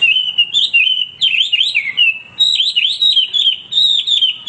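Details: Hwamei singing nonstop in loud, lively form, used as a master song for training other birds: rich whistled phrases that wobble up and down, delivered in two continuous bursts with brief pauses between.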